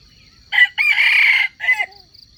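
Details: Crowing of a wild junglefowl cock used as bait for trapping wild chickens. A clipped first syllable, an extended raspy drawn-out note, then a short drooping tail, with a high insect whine behind it.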